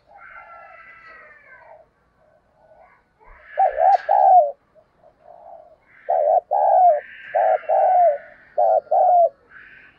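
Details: A Spotted dove kept as a decoy coos excitedly: soft, faint cooing, then bursts of loud, low, warbling double coos, short then longer and falling, in quick succession.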